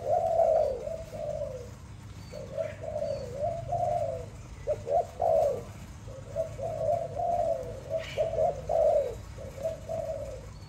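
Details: A kept Malay dove sings a sweet song: soft, mid-pitched rolling coos in quick, stuttering bursts with short pauses, spread over about ten seconds, against a low steady background hum.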